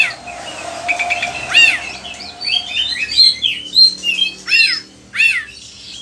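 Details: Oriental magpie-robin song for tutoring other birds, Indonesia: mix of whistled slides and several loud harsh downslurred squawks spaced about half a second to a second apart.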